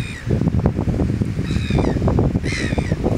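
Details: Three harsh, drawn-out tern calls, possibly Arctic or Antarctic tern, each falling slightly at the end, come about a second apart over loud, steady surf and wind.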